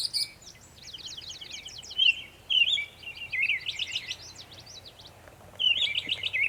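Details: Northern mockingbird, Savannah, New York, 23 May 2021, making many sounds: rapid trains of steep chattering notes, dense buzzy twittering runs and slurred whistles, continuous with short pauses, faint hum below.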